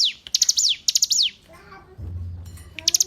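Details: Hill prinia song used to tutor captive songbirds: a few high, stammering phrases with falling tails, then a pause filled by a low thump and scratchy noise before the song resumes.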